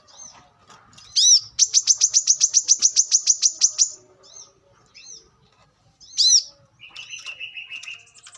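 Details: Wild brown-throated sunbird: a loud harsh note, then a fast, even trill of about twenty sharp high notes, more harsh notes, and a lower buzzy rattle near the end.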